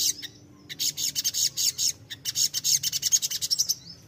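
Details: High, thin twittering from a crimson sunbird, played as a lure so untrained birds answer: rapid pulsed bursts of sharp notes, each lasting about a tenth of a second, packed closely together.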